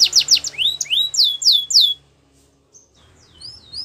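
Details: Morning song of a Belgian canary: quick high chips, then slow rising and falling slurred whistles, a sudden pause of about a second, and soft thin notes resuming at the end.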